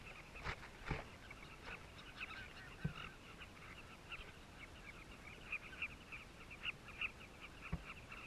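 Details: Southern carmine bee-eaters at a nesting colony in South Luangwa, recorded close up with a camera hidden beside the nests: a continuous chatter of short, high, overlapping chirps, with occasional dull knocks.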